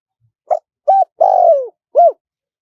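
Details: Spotted dove giving a wild-style song in a small, high voice, played as a lure to draw wild doves in quickly: four clear mellow coos, the third long and sliding down, with silence around them.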